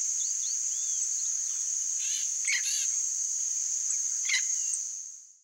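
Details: Yellow-faced parrot, Alipiopsitta xanthops, gives a cluster of rasping, harmonic chattering notes around the middle, then another short squawk, over constant shrill insect buzzing that fades at the end.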